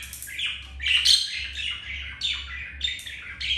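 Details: Budgerigars mating indoors, a male with a female; continuous scratchy warbling chatter with squeaky notes and rapid shifts in pitch, low hum behind.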